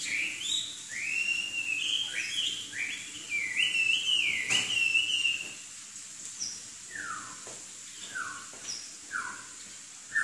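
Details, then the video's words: Energetic Chinese hwamei song: a rapid run of looping whistled notes, each sliding up then down, followed by a pause and then spaced, descending slurred whistles repeated about once a second against a steady low hiss. "Kicau Burung Hwamei Wambi Gacor"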